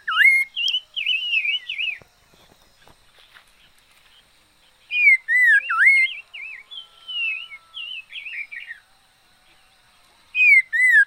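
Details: Decoy liocichla song of loud dipping whistles and wavering warbled runs, with a pause of quiet clicks before more phrases and a final strong swooping whistle.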